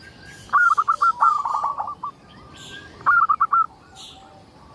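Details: Local zebra dove, an actively singing bird used as a lure to prompt other zebra doves to sing: two bursts of rapid staccato coos, the second after a pause, with faint high chirps behind.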